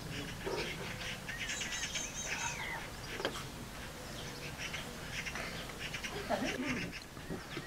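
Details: Magpies in a fight at a nest at the end of a garden: clusters of harsh, scratchy chatter, a few sharp cracks, and faint thin whistles of other birds in the background.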